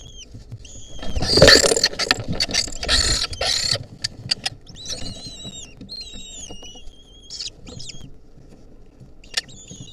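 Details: Wild lesser kestrel nestlings in 2023 with a centipede clinging onto them. A burst of scrabbling, rustling noise comes first, then a run of high, drawn-out, slightly wavering calls, each dipping at the end and repeated several times.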